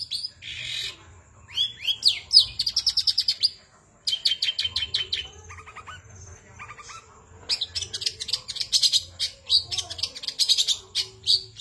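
A Long-tailed shrike sings a busy, varied medley of high chattering phrases, rapid trills and scratchy notes, with short pauses and a faint low hum beneath.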